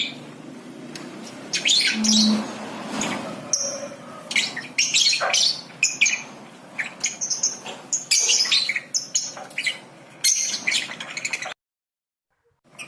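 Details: Lovebird ngekek trill meant to coax young lovebirds into singing: dense runs of shrill, scratchy chirps and squeaky notes stacked closely together, pausing briefly, then falling silent near the end.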